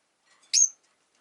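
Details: Single shrill chirp from a caged rosy-faced lovebird, one of five kept by a window, ending in a thin whistled tail; quiet otherwise.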